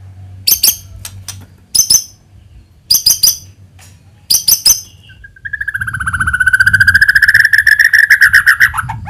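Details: White-rumped shama lure recording; clusters of sharp ticking notes, then a long rapid trill rising slightly in pitch, with a low rumble beneath.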